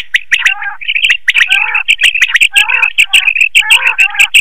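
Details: Quail call used to lure quail for night net hunting: rapid chirping phrases with sharp clicks, bursts of trilled notes repeated several times a second, busy and continuous throughout.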